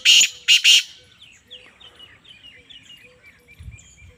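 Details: Black francolin (Francolinus francolinus) gives three loud, harsh, grating notes in under a second, followed by faint high chirping from smaller birds; recorded August 24, 2023.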